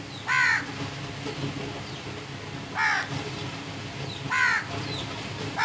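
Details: Loud, raspy crow caws arrive about every two seconds, four in all, with thin chirps of other small birds faintly between them.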